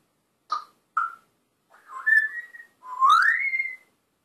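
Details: African grey parrot, said to talk and swear, giving two short clipped notes followed by two longer warbling, whistle-like phrases that slide upward in pitch, with nothing else audible.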